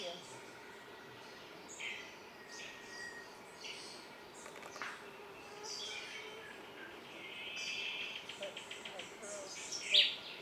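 Cuban solitaire giving clear, ringing, flute-like phrases that rise and overlap, over a steady insect drone and other faint bird calls.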